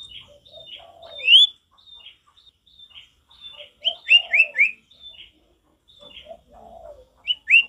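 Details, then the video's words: Male sirtu, singing energetically in natural forest style, mixes thin high whistles with clusters of sharp descending notes and lower warbled phrases, over nearly eight seconds. "Sirtu gacor gak ada lawan suara ngalas alami"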